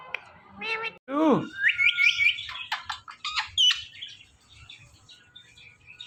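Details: Male ringneck parrot watching its own videos at home: a quick nasal note, then a sharp downward-swooping squawk followed by a string of thin, high, rapid chirps and squeaks that fade out.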